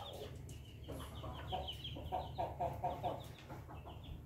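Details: Ayam Ketawa chicken, its melodious crow heard as a quick run of five or six short, evenly spaced clipped notes, like staccato laughter, against a steady low hum and background noise.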